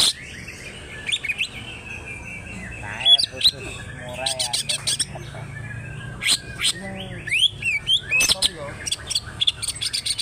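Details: Greater green leafbird, wild stock from Alas Purwo in Banyuwangi, singing with tail opened in 'trok bul' manner. Scattered sharp chips and whistles build into quick bursts of high trills, slurred notes and rattling phrases.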